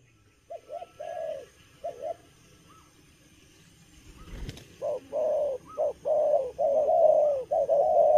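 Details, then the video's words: Young spotted dove cooing eagerly during its moult, in a halting cà lăm style; after quiet opening notes and a thump, a run of repeated mid-pitched, slightly wavering coos builds toward the end. "Bổi tơ gù cà lăm lỡ, đang mùa thay long mà quá hăng"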